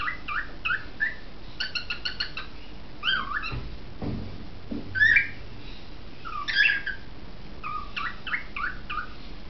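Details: Two young cockatiels, a heavily pied cinnamon hen and a grey male, chirp in short, bright whistled notes, with a few louder rising calls among them.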